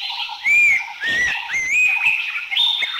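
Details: Abbott's Babbler from Thailand: a run of clear, slurred whistled phrases that rise and dip, each about half a second long, repeated four times over a steady high background drone.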